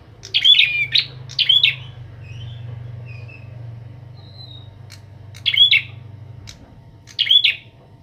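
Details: Young Bar-winged prinia in training with a kept adult bird; two harsh chirp bursts, then a few soft faint squeaks over a steady low hum, then two more sharp bursts after a pause.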